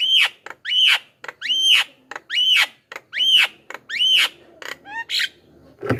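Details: Varied Javan myna song meant to attract wild birds: a regular series of rising whistled notes, each about a second apart and followed by a short click, ending in a rougher burst and a low thump.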